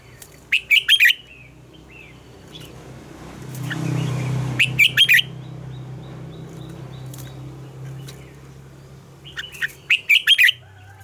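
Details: Morning song of a red-whiskered bulbul in a mature, wild double-note style, used as a lure for training birds: three quick clusters of bright, chirpy whistled notes spread across eleven seconds, with a low droning hum and a brief rushing noise between.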